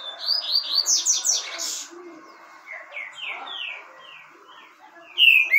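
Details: Green-winged saltator (trinca-ferro verdadeiro) song: a quick run of loud slurred whistled notes, a softer repeated phrase of falling whistles, then one strong whistle at the end.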